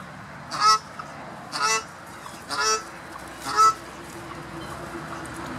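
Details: Cape shelduck calling with four harsh, nasal honks spaced roughly a second apart, each brief and broad-toned, over steady low background noise.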